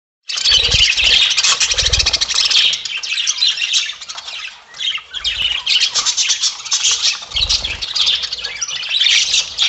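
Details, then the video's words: Budgerigars, spangle adults with lutino and albino semi-adults, kept together: dense continuous chattering of warbles, squawks and rapid scratchy chirps from several birds, with occasional low thumps beneath. "Budgies ~ spangle"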